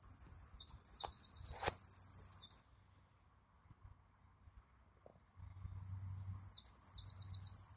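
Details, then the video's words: A wren sings two loud, very high, rapid trilling bursts of about two seconds each, separated by a brief pause, over a faint low rumble. "A Singing Wren"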